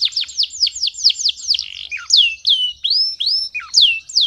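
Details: Heated male canary song for training youngsters and rousing females: a quick run of high descending whistled notes, then slower ringing upslurred and downslurred whistles, bright and piercing throughout.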